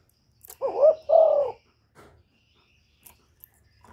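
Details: Spotted dove from Cà Mau, Vietnam, giving a lure call used to excite decoy and wild doves for trapping: one deep two-part coo, a short rising note then a longer falling one, with faint clicks afterwards.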